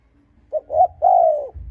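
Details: Spotted dove coo used to stir up and attract rival males: a short soft note, a slightly longer one, then a drawn-out low hollow croon that slides gently downward.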